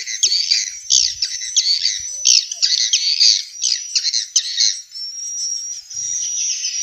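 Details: Swiftlets from Vietnam, a lure sound for swiftlet bird houses: harsh high squawking chatter in short bursts roughly each half second, ending in a long thin rising whistle.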